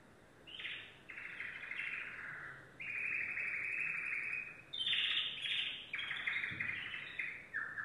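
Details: Yellow domestic canary delivering long trilled phrases, each a rapid buzzy roll held for a second or more, separated by short pauses, with some higher chattering bursts.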